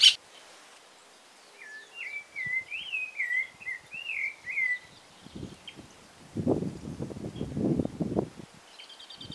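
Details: Rufous-bellied thrush singing at sunrise in a garden: a short run of warbled, whistled, rising and falling notes, followed by a patch of low rustling thumps and a brief high chirping from another bird at the end.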